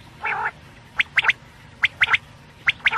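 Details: Batair (quail) with a short nasal buzzy note followed by three crisp three-note whistled phrases evenly spaced under a second apart.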